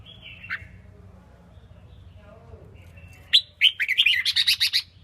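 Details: Caged female red-whiskered bulbul sings to rouse males and make them more spirited for competition. A single call opens the recording. Later comes a fast, rhythmic series of loud, clipped whistled notes repeated several times a second.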